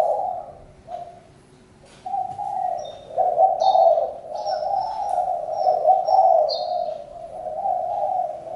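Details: Spotted dove cooing almost continuously in low, rough, rolling notes after a brief pause, while small birds chirp faintly and high above.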